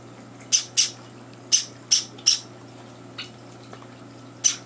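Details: Young Java sparrows kept indoors, begging at breakfast as older birds intrude; a few separate sharp high squeaks, scattered irregularly over a few seconds, over a steady low hum.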